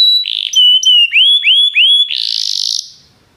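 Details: Belgian canary song used to spur other canaries into singing: steady high whistles and upswept notes, followed by a buzzy rolling trill that fades out.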